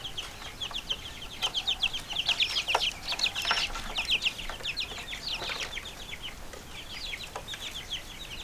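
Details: Chicken chicks, a group of little chickens, peeping busily: dense overlapping high, short downslurred cheeps, several per second, with occasional clicks and rustles underneath.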